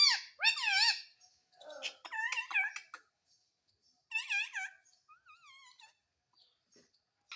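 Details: Pet parrot mimicking Hindi speech indoors: bright wavering voiced syllables, a loud pair at the start, a clipped run in the middle, and a soft falling phrase near the end, with short pauses between.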